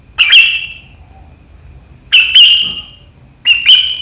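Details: On 7 April 2023, a sooty-headed bulbul delivers three loud, sharp riwikan bursts, each a quick rising-then-falling ringing note with a trailing tail, spaced one to two seconds apart.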